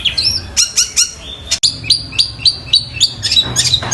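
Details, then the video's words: Mimicking long-tailed shrike copying a tree sparrow and a tiger shrike: a string of upslurred sharp chirps spaced about three per second, followed by a busier chattering burst at the end. "Cendet Gacor suara Gereja Tarung dan Tengkek Buto"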